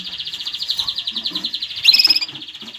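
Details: Canary song played to teach young birds and stir mating: rapid rolling trill of pulsed notes held steady, a brief brighter, louder burst near the end, then the trill resumes; soft low murmurs underneath.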